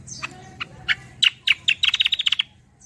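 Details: Kecial kombo, a bird whose lively song serves as a lure and tutor for other birds: scattered high notes speeding into a rapid, accelerating rattle of bright chips, with low hum behind.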